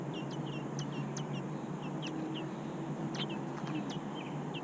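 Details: Large American robin nestlings in their nest give thin, high peeps in quick, uneven runs, sometimes several at once, over a low steady hum.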